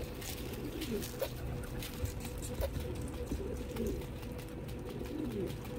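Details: Pigeons being fed in Dubai, United Arab Emirates, giving soft low cooing phrases that swoop down and up at intervals over a steady background hum and scattered clicks.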